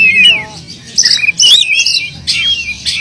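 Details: Oriental magpie-robin in persistent, energetic song packed with filler phrases, used to coax silent magpie-robins into singing; high whistled notes slide down, then bright buzzy bursts and rising warbles follow in quick succession over a low steady hum.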